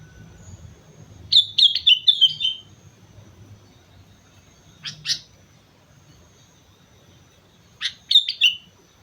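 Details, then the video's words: Vigorous song of a sooty-headed bulbul on Mount Slamet: a rapid burst of five bubbly whistled notes, a short double note after a pause, then another bubbly phrase several seconds later, with light ambient rumble. "suara burung kutilang gacor gunung slamet"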